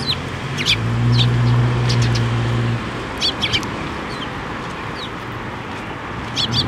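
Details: Eurasian tree sparrow chicks flying into a plum tree to be fed at a Tenmangu shrine, 25 May 2024: short sharp chirps in scattered bursts, with a steady low hum in the background.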